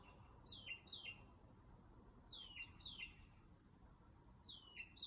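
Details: A bird sings at night, around 2 am, outside a house. High, sharply descending whistles come in pairs, three pairs in about five seconds, over faint low background noise.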